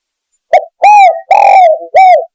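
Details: Spotted dove lure call for hunting, a single clear phrase of a brief note, an arched coo, a drawn rolling coo and a last falling arched coo.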